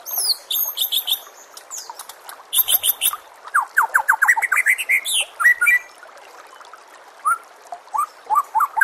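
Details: White-rumped shama song, softer and farther off. High thin chips and trills are followed by a quick series of rising whistled notes, then scattered short whistles after a brief lull.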